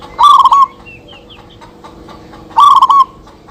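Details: Local zebra doves calling back and forth for use as a lure: two short bursts of quick staccato coos roughly two and a half seconds apart over a low steady background hum.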